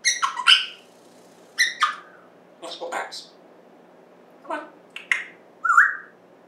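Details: Talking African grey parrot at home, September 2024: quick clusters of speech-like syllables, a short pause, more word-like sounds, ending with a clear rising whistle.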